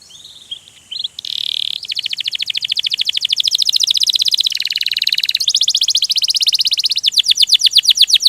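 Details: Canary singing in the Indonesian ngerol (rolling) gacor style: a brief whistled phrase, then long fast trills of rapid repeated notes that shift between pitch bands and speed up toward the end.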